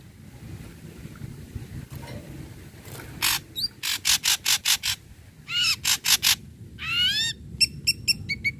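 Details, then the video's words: Lively Ashy Drongo song meant to stimulate other drongos to sing. A string of harsh, evenly spaced rasps gives way to upward-curving ringing whistles and a fast run of short metallic chips at the end. "Srigunting Abu Abu Gacor HITUNGAN DETIK"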